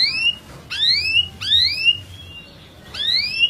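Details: Canary (Serinus canaria) sings clear, rising whistled sweeps, four about every three-quarters of a second, bright and high against a quiet background; song meant to stimulate other canaries to sing and to prepare pairs for mating.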